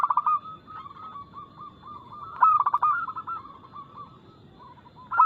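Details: Local zebra dove, described as singing keenly with fast notes and a loud, crystal-clear voice, used as a lure for other doves. Loud rolling cooing bursts at the start, around 2.5 seconds and at the end, with fainter continuous cooing from other doves between.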